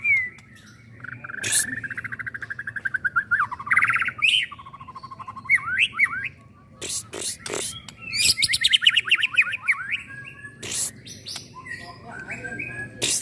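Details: Young white-rumped shama, a candidate for the iron-pole competition class, sings a varied run of rapid rattling trills, rising and falling whistles and fast stuttered phrases, broken by a few sharp clicks and knocks.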